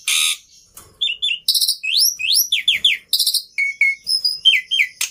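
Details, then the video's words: Black-winged myna song mixing loud buzzy bursts with clear, looping whistles that rise and fall, some paired, ending in short falling whistled notes. "Suara Burung Jalak Putih Istimewa"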